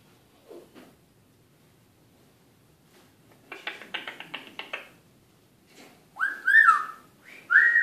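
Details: A pet Eclectus parrot talking in the evening gives a quick burst of raspy, speech-like chatter, then loud clear whistles that swoop up and down, in a quiet room.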